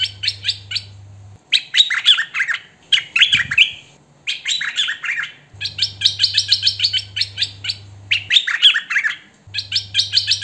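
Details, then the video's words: Hwamei singing: bursts of loud, rapid, varied whistled and chattering notes in phrases of one to three seconds separated by short pauses, over a faint low hum. "Hoành hoạch thơm mồi hót chuẩn hay"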